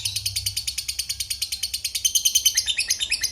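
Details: Lovebird in a long 'ngekek' chattering song: a fast, even run of shrill, scratchy chirps, about six each second, continuing without a break.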